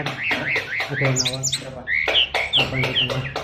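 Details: Oriental magpie-robin of the SRDC Bali type with a song full of imitations ('isian luber'): a run of four or five looping whistled notes, then sharp high chips and a series of clear slurred whistles, steady low hum underneath.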